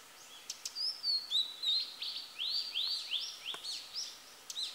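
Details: Female blue-and-white flycatcher singing: a run of clear whistled notes and rising, arching slurs, mostly high-pitched, delivered in quick separate phrases with short gaps and a few sharp clicks, over quiet background hiss.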